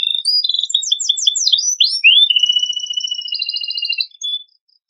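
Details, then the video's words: Canary with an elaborate repertoire, meant to provoke other birds to sing: quick trilled notes and upward-sweeping whistles, followed by a long level trill over a sustained lower whistle, ending abruptly in silence. "Kenari Isian Mewah Cocok Pancingan Bunyi Burung Bahanan"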